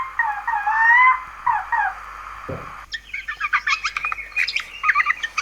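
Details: Eurasian Jay, a bird that imitates the voices of various creatures: drawn-out harmonic wavering notes open, followed by a brief dull knock and then a rapid jumble of chattering, clicking and squeaky notes.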